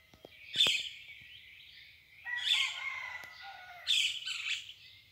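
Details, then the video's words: Birds singing at dawn: three loud, buzzy, rich phrases about every one and a half seconds, with a thin sustained whistle between them and a faint low rumble beneath. "O canto das aves al amanhecer"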